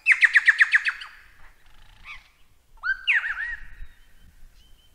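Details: Lyrebird delivering a rapid burst of about eight loud ringing notes, then quiet scratchy sounds and a looping, warbled whistle that rises and dips.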